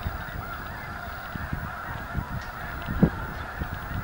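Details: Large flock of snow geese at Anahuac National Wildlife Refuge, with ducks present, giving a dense continuous chorus of overlapping nasal honks that forms a steady mid-pitched din, over low wind rumble and occasional soft thumps.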